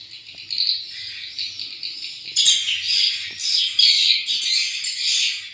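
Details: Newly hatched swiftlet chicks produce a continuous high, hissing, buzzy chorus in overlapping pulses, growing louder and denser halfway through.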